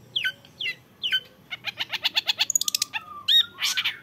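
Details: Young long-tailed shrike starts with three separate falling chirps, then a rapid ticking trill that speeds up, followed by a high whistle and harsh buzzy notes.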